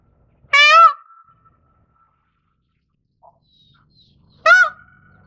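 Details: Indian peafowl, Pavo cristatus, giving two loud nasal cries nearly four seconds apart, each a brief harsh burst followed by a fading thin tone, with faint soft sounds between.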